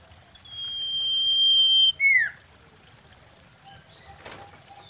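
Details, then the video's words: Common iora, a female, giving its mating lure song: one long, steady, high whistle that drops into a sharp descending note, followed by a brief burst of wing or rustling noise. "SIRTU GACOR KAWIN BIKIN EMOSI SEMUA SIRTU/CIPOH GACOR!"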